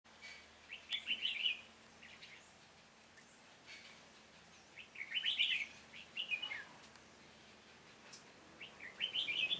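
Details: Red-whiskered bulbul decoy singing at a trap set for wild birds in Hòa Bình, Vietnam, on 18 November 2017: three bursts of bright, warbling, chattering phrases about every four seconds, with quiet gaps between them.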